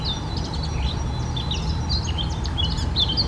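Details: Short burst of Eurasian blackcap (Sylvia atricapilla) song: jumbled, rapid high warbling with slurred whistled notes, over a strong low rumble and a steady faint tonal hum.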